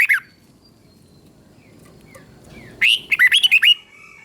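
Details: Red-whiskered bulbul song, southern master style from Thailand, used to stimulate other bulbuls and tutor young birds: a short note at the start, then after a quiet gap one rich, quick phrase of about six looping whistled notes.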